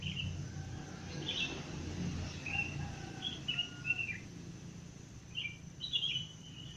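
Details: Wild birds singing at 5 am while it is still somewhat dark: scattered short high chirps and brief whistled notes in loose bursts, over a steady low rumbling background hum.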